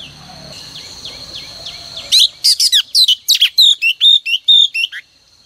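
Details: Female oriental magpie-robin song meant to stir males into singing each morning; after faint background chirps, a loud run of about fifteen sharp, high whistled notes follows in quick, uneven succession.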